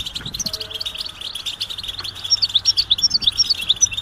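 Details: Goldfinch mating and readiness chatter, used to make a silent male sing; soft high twittering that turns into clear, repeated sharp chips several times per second in the second half.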